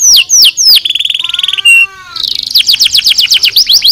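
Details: Canary singing a nozes song for training birds: several sharp falling notes, a fast even roll of repeated notes, a low whistled note, then a run of quick downslurred chips about four per second.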